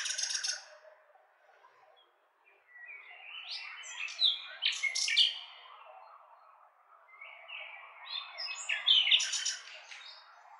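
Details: Nightingale giving bursts of sharp clicks and rattles, then varied whistled and churring phrases separated by short pauses, with a faint hum behind.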